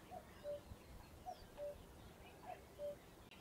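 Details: Common cuckoo at Ham Wall reserve in Somerset, UK, giving its familiar two-note call three times, a short higher note dropping to a longer lower one, spaced roughly 1.2 seconds apart over faint ambient birdsong.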